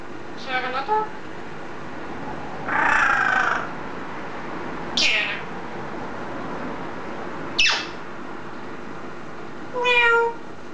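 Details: Green eclectus parrot kept at home, talking: five separate utterances across ten seconds, mixing harmonic word-like sounds, hoarse breathy squawks and a sharp downward squeal, with steady room noise between.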